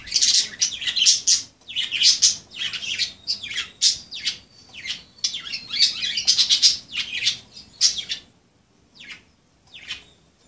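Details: Budgerigars playing chatter in dense, scratchy bursts of high chirps and squawks for about eight seconds, then fall to a few scattered single calls.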